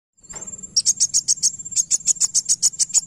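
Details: Van Hasselt's sunbird song played to draw a reply from another bird: a rapid series of very high, sharp chipping notes, roughly three per second, over a steady thin high-pitched tone. A short rising whistle opens the clip.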